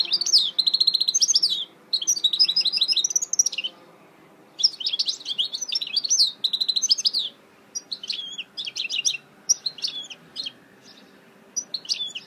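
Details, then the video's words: Long, energetic song from a goldfinch mule: repeated bursts of rapid high twittering and liquid trills lasting one to three seconds each, separated by short pauses, over a low faint hum. "Chant mulet chardonneret تغريد هجين الحسون"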